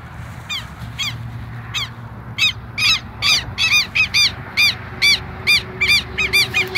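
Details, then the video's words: A pair of Southern lapwings calling boldly near their nest, which lies at the same spot, giving harsh, strident notes repeated more than twice a second, faint at first, then loud and rapid, with a low steady hum behind. "Casal de kero kero cantando bastante."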